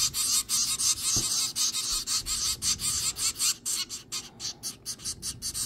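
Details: Hand-fed nine-day-old zebra finch chicks begging in a makeshift brooder box: raspy, buzzy pulses in a steady rhythm, the bursts growing shorter and choppier toward the end, with a soft thump early on.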